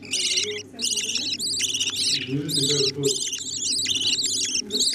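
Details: Budgerigar parents feeding nestlings: strident, buzzy, high squeaking bursts, roughly two or three per second, accompanied by soft low gurgling sounds.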